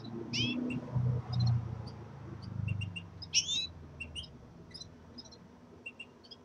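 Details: Caged common redpolls with a linnet, exploring a new cage; bright, high chirps and a few quick upward-sweeping twitters, growing sparser toward the end, with low rumbling and knocking sounds from the room in the first seconds.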